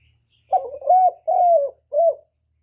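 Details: A spotted dove in one full một hậu phrase: a quavering opening note, two sustained mellow coos, then a shorter falling final coo, all low and soft with nothing else audible.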